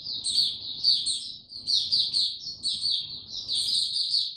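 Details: White-eye given no health supplements, recorded 29 April 2022, delivers repeated short phrases of high, thin twittering separated by tiny pauses, with a steady low background hum.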